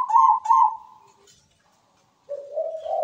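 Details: Zebra dove song used as a lure for other perkutut: two quick loud coos run into a fading trailing note, then after a pause a lower rolling cooing phrase begins.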